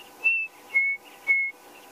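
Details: Chinspot batis heard at sunrise on a safari drive on 29 February, near a dam with wild dogs and hyenas, gives three clear, pure whistled notes, each slightly lower or level with the last.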